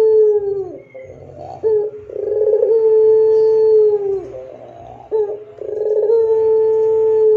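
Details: Barbary dove singing a long, clear pelung song, used as a master for training other doves: two phrases, each a brief rough lead-in followed by a drawn-out, steady, mellow coo of about two seconds that sags at the end.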